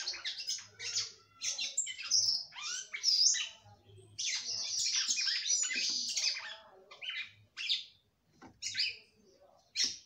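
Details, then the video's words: Female red-cowled cardinal sings heavily to stimulate the male, with long runs of fast, high buzzy chatter and whistled accents, thinning to scattered sharp notes near the end. "FÊMEA DE GALO DE CAMPINA CANTANDO MUITO PRA FOGUEAR SEU CAMPINA"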